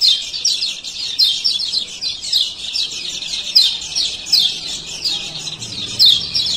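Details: Male lemon-bellied white-eye, Lombok, calling 'ciak ciak' as a lure for birds that refuse to sing; a dense, steady stream of high twittering chirps with louder accents every second or so.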